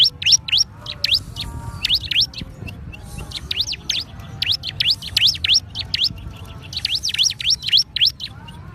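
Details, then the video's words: Bar-winged prinia singing a fast series of sharp, high chirped notes, each sweeping up and down, delivered in quick bursts of two to four over a steady low background rumble. "ciblek gunung, kicau burung"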